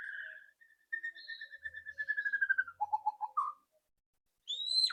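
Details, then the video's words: White-rumped shama loud song used to coax a bird into singing, a long steady series of rapid repeated whistled notes sliding lower, ending in a dropping trill and a high upslurred whistle. "PANCINGAN MURAI BATU AGAR CEPAT BUNYI ketrekan keras murai batu"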